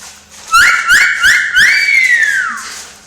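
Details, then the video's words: Talking pet parrot whistling indoors: four quick rising whistled notes followed by a longer whistle that rises then slowly slides downward. "Говорящий попугай. Свист"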